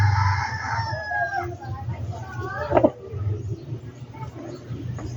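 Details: Backyard chicken crowing: a long harmonic, slightly falling crow opens, then shorter harmonic calls follow, with a constant low rumbling hum beneath.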